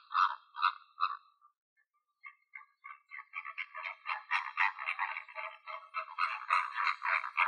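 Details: A flock of flamingos in the wild in Greece gives three nasal, goose-like honks, then after a brief pause the whole flock joins in a dense, overlapping gabble of honking calls.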